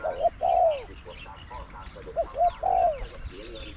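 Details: Spotted dove, a caged decoy bird used in trapping, matched against wild doves. It gives clear cooing phrases: short rising coos, then a longer drawn coo that slides downward, repeated twice. Faint bird chatter behind.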